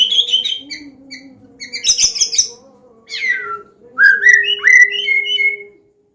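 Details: White-rumped shama of the Medan type singing a loud, open-style combination song used to teach young birds: clear whistles, a chirpy burst, then a steeply falling slur and rising whistled phrases, over a steady low hum.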